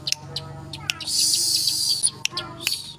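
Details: Weaver (manyar) song with harsh "tembakan kasar" bursts, used as training song: sharp ticking notes, then a long harsh, buzzy, sizzling burst lasting about a second, then more clicks, over low background music.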